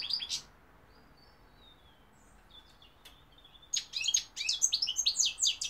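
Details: Goldfinch (European) in song, 2021: a short twittering burst, then thin drawn-out whistles, then a lively stream of sharp, high tinkling notes to the end.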